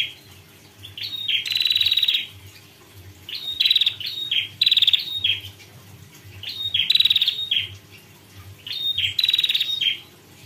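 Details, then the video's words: Female prinia delivering repeated high, sharp chirping bursts, each made of quick falling notes, coming roughly every two seconds at an uneven pace, with a quiet low hum in the background. "Prenjak betina pekter"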